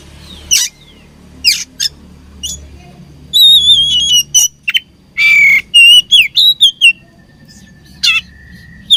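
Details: Oriental magpie-robin during a fight, opening with scattered sharp chirps, then a dense run of clear whistles, wavering slurs and a loud rasping burst, over a faint low hum.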